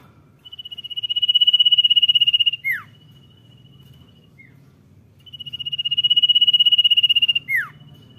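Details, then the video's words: Common iora giving a long, high, trilled whistle held about two seconds, ending in a sharp downward slur, repeated twice about five seconds apart over faint background hum. "CIPOW GACOR DOR NYIUL MANTUL"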